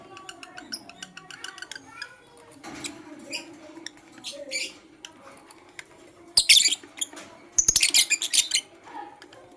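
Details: Blue opaline lovebird chirping in the morning: scattered high squeaky chirps, then dense bursts of harsh shrill chattering around six to nine seconds, with a faint low hum beneath.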